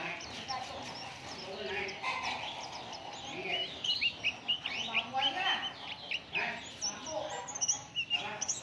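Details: Oriental white-eye singing, used to prompt other birds into song: rapid bright chirps and short whistled slides, quieter at first then a busy burst of repeated twitters in the second half, with some lower murmuring underneath.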